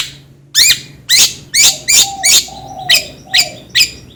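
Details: Long-tailed shrike repeating a harsh, scratchy chirp about twice a second, nine times in a steady series, with a faint low hum in the background.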